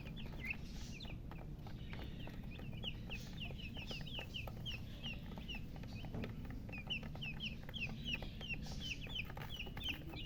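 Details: Newly hatched baby chickens peep loudly in a constant chorus of thin, high, downslurred chirps, many birds calling together above a low background hum.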